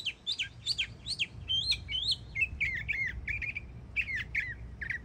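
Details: Yearling Northern mockingbird singing in Florida, a stream of varied phrases: rising and falling whistled notes repeated a few times each, then shifting to new slurred, warbled syllables.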